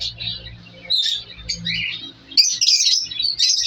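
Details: Breeding colony of colour lovebirds, African lovebirds, in an aviary in winter; scattered sharp squeaky calls early, then a loud burst of harsh overlapping chatter, with a low hum in the background.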